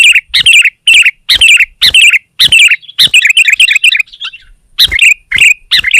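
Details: Sooty-headed bulbul singing hard at a rival, producing a rhythmic string of bright, bubbling, warbled phrases in quick succession, with a short break before the phrases resume.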